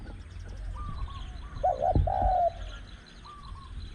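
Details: Wild and caged Spotted Doves at a luring site, spot 14, where a decoy bird is set out to draw a small-voiced wild dove. One mellow two-part coo phrase sits mid-clip, framed by faint higher whistled notes and low rumble.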